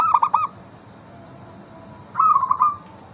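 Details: Local zebra dove, a frequent singer, played as a lure to get other zebra doves singing: two short bursts of rapid, pulsing, low cooing trills, the second after a pause of about one and a half seconds, over faint steady background hiss.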